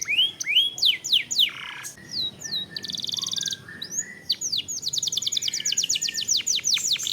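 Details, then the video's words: Lure recording of a canary with a long rolling song, used to trigger singing: looping rising whistles, a buzzy rattle, then an accelerating series of rapid descending notes, about three per second, ending in a fast trill. "Pancingan Kenari / Masteran Kenari / Dijamin Langsung Bunyi"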